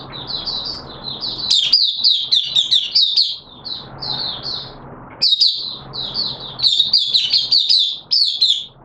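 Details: Oriental white-eye kept as a caged songbird, opening song recorded in wet weather on 6 September 2022: long chains of high, quick twittering notes, briefly pausing midway, then resuming in a rich continuous warble.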